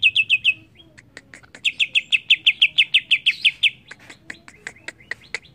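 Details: Greater green leafbird in agitated song: quick bursts of bright trilled whistles alternating with sharp, dry clicks in rapid sequence.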